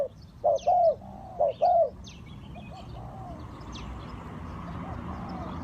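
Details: Spotted dove used as a lure for trapping wild birds gives two short-then-long cooing phrases early on, then falls quiet over a steady background hiss, with faint high chirps from other birds.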